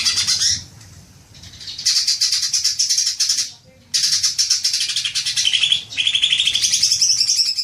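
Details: Greater green leafbird lure sound used to prompt long 'ngekek' chattering: dense, shrill, rapidly trilled chatter in long bursts, broken by two brief quieter gaps, with sharp scratchy notes throughout.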